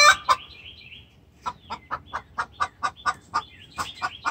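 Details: Hen calling the rooster in distress with a brisk, evenly spaced series of sharp clucks, about four per second, after an opening squawk; light bird chirping trails in the background.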